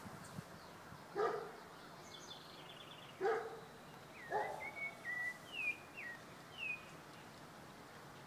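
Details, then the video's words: A rufous-bellied thrush (sabiá) sings a short run of clear whistled notes, some rising, some falling, at a smallholding in Sobradinho, Distrito Federal, Brazil, on 15 September 2014; three loud dog barks come first, over a steady background hum. "Sabiá Cantando"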